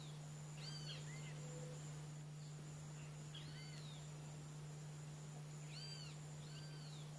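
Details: From Brazil, a wattled jacana's chattering call: bursts of stacked, curved notes at roughly two-second gaps, a steady low hum running underneath.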